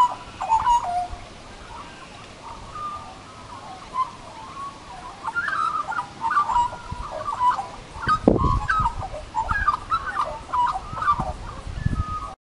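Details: Australian magpie warbling in a small tree: a continuous rambling series of short, varied, fluty and chortling notes, mid-pitched, with clicks, over steady low rumbling background noise and a loud thump partway through.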